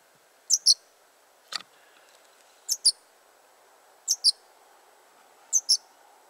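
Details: Young yellowhammer placed in cover, with a parent returning nearby; high, thin double notes sounded in pairs about every one and a half seconds, with one lower extra note, over a faint low hum.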